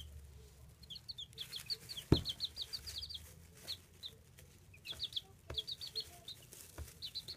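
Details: Baby chicks peeping: clusters of short, high, slightly rising chirps come in bursts of several notes, separated by brief pauses, with a few sharp knocks and low background rumble.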